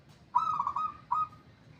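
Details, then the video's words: Zebra dove, said to have begun singing energetically, gives one rolling, trilled coo phrase followed by a short clipped second note, mellow and mid-pitched over quiet background hum. "perkutut nya Alhamdulillah dah gacor"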